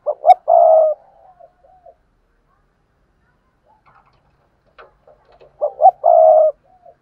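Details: Lure spotted dove calling to stimulate other doves to coo: two matching low, mellow cooing phrases about five seconds apart, each short notes leading into a long coo with soft trailing notes between.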